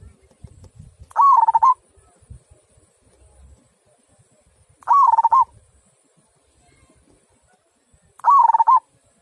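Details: Three kung-style phrases of a local zebra dove, each a quick stuttering run of mid-pitched coos about half a second long, spaced around three and a half seconds apart, with faint low thumps early on.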